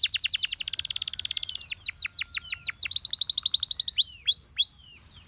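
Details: Russian singing canary's seductive song for other canaries: a dense rapid trill, then quicker sweeping notes, finishing with three slower rising-falling whistled chirps before a short silence.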